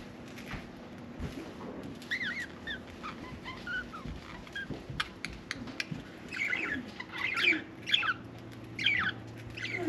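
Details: Pet budgerigar chattering indoors, its soft warbled chirps and short rising notes scattered over a steady low hum, growing busier and louder toward the end.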